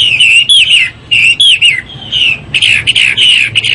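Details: Loud, full whistled song of a hwamei: slurred notes sliding up and down in short phrases, with one long descending whistle midway.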